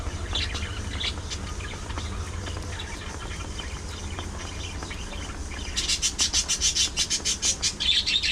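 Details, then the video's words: A group of pet budgies amid playful fights, grooming and chatter: faint chirps at first, then a fast run of harsh, evenly pulsed notes, about two per second, closing the passage over a low hum. "Budgies Being Budgies: Non-Stop Fun, Fights, Love & Chirpy Chaos!"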